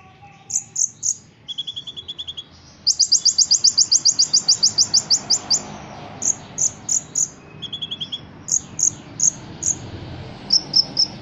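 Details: Ruby-cheeked sunbird trained for song competitions, in full competition song filled with cotton-cricket and cililin imitations: high piercing chips in twos and threes, a fast buzzy rattle of about twenty even notes, and lower reeling trills. Quiet background hum.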